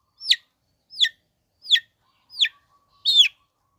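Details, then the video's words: Long-tailed shrike used to provoke other shrikes: five sharp, downslurred whistled notes about two-thirds of a second apart, the last one fuller and slightly longer. "Bikin Cendet Loyo Kurang Emosi Agar Segera Terpancing Emosi &Ikut Bunyi"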